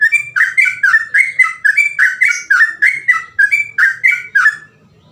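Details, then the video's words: Sooty-headed bulbul, locally trucukan, singing rapid ropel phrases meant for imitation by untrained birds; fast continuous chain of loud, rich, buzzy whistled notes, about four per second, stopping abruptly before the end. "burung trucukan gacor ropel cengkok mudah di tiru trucukan bahan"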